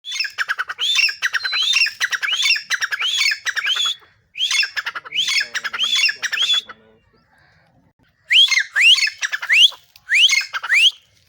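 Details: Black francolin singing from a mango tree in a garden setting: harsh, squawky phrases of sharply rising grating notes with rattling clicks, delivered in rapid bursts, with two pauses before the song resumes.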